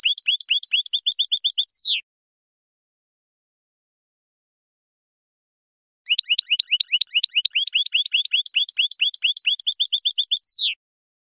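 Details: European goldfinch from Algeria in khelwi style: two bursts of fast twittering and upslurred notes, each ending in a descending long note, separated by about four seconds of silence.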